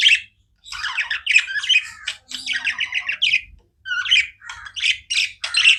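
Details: Pet budgies chatter continuously in a run of harsh, buzzy chirps and squeaky warbles, grouped into bursts about a second long with short silent gaps.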